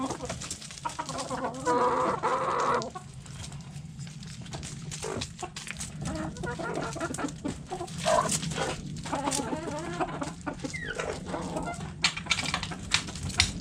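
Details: Backyard chickens, hens and roosters, eating food scraps: a busy mix of overlapping clucks and short harmonic calls, with a longer tonal call near two seconds, over constant pecking and scratching clicks.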